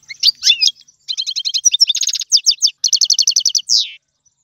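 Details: Goldfinch song: a few bright chirps, then fast rhythmic twittering runs and a steady trill finishing with a downward-sliding slurred note.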